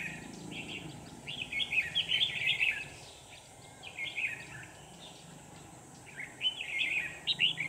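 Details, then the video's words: Red-whiskered bulbul used as a decoy bird in a trapping session late in the afternoon, 24 November 2018, in Vietnam: bright chattering warbled phrases in bursts, pausing between them, with steady background hiss. "Bẫy chào mào Hàng chiều muộn quá sung"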